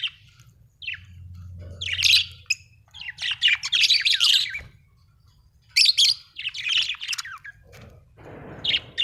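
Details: A cheerful budgerigar keeps up dense, scratchy warbling chatter in two long runs broken by a short quiet gap, with a faint low hum and a brief rustle at the close.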